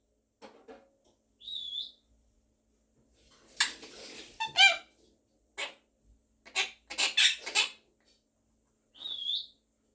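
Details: Quaker parrot, a pet monk parakeet, singing and talking with its owner; a clear upslurred whistle, then a cluster of harsh squawks and chattering notes, ending with another matching whistle.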